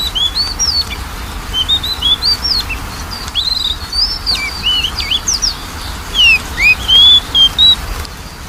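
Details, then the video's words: Magpie-robin song played to encourage a lazy singer: a continuous string of sweet whistled notes, rising and falling slurs in varied order, over a low steady hum. "PANCINGAN KACER MALES BUNYI"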